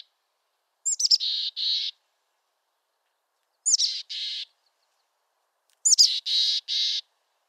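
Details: Three chick-a-dee phrases from a mountain chickadee in western North America, roughly every two and a half seconds, each a cluster of thin high notes dropping into two throaty, buzzy dee notes.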